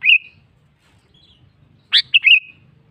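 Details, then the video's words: A sooty-headed bulbul singing to challenge a rival: a brief whistled note, a pause, then a lively phrase of a sharp rising chirp followed by two liquid slurred notes ending in a wavering whistle. "BURUNG KUTILANG GACOR MEMANGGIL LAWAN"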